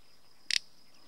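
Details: An adult male little bustard in fallow farmland in La Rioja, Spain, in June 2015, one of very few males left locally, gives one short, dry, rasping snort of three quick pulses over a thin, steady, high insect trill.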